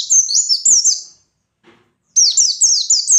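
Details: White-eye in vigorous 'ngalas' wild song meant to rile up rivals, giving quick sweeping high notes that drop in pitch, a brief silence, then another lively run of similar bright twittering phrases.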